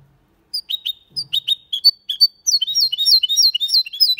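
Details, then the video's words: Goldfinch × canary hybrid male singing a clean Malaga-style song without errors, used to stimulate males and teach chicks: bright high twittering notes, sparse at first, then a fast continuous run of rising whistled chirps. "Mixto de Jilguero Cantando Limpio (Video HD)Mulet de Chardonneret X canari /hybrid goldfinch singing"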